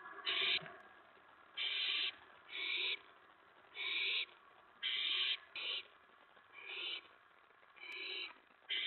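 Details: Owl at a nest receiving a mouse, 4:46 AM, May 15, 2017: a rapid, uneven series of about eleven loud, hoarse hissing screeches, some running close together, others spaced nearly a second apart.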